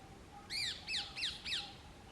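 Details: Indian ringneck parakeets busy with courtship at the start of the summer breeding season, choosing nest holes and displaying. The clip gives four harsh, downward-sliding screeches, spaced about a third of a second apart, heard at some distance.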